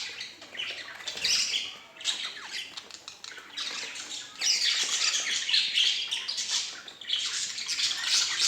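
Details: Two budgerigars keep up a busy stream of high, scratchy warbles and squawks, coming in waves with brief quieter gaps between bursts.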